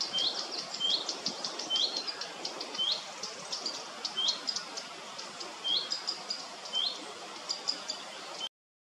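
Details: A common redstart at RSPB Gwenffrwydd Dinas, Wales, repeats a short, rising whistled note about once a second, with faint higher chirps from other birds and a soft background hiss.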